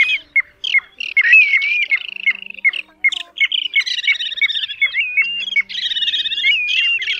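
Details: Plover calls used at night to lure plovers to nets, including Pacific golden, Kentish, little ringed and grey plovers and Mongolian plovers, in a busy run of sharp high chips, slurred rising-falling whistles and harsh squawky notes.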